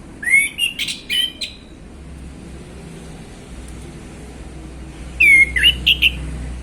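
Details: A male orange-headed thrush sings relaxed ngeplong phrases in the afternoon as a lure for other birds. Two bursts of rising whistles and quick chattered notes are separated by about three seconds of quiet.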